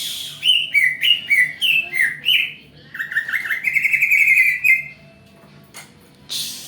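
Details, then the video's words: Greater green leafbird song used as a lure to provoke a response: a fast run of varied short whistled and chirping notes, sliding phrases, then a dense buzzy trill before a pause and a brief noisy burst at the end. "pancingan burung cak ijo di jamin ngerespon"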